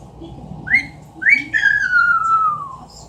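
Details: Captive female Amazon parrot in a small room imitating a wolf whistle: two quick rising whistled notes and a long drawn-out whistle sliding gradually downward, with soft murmurs underneath.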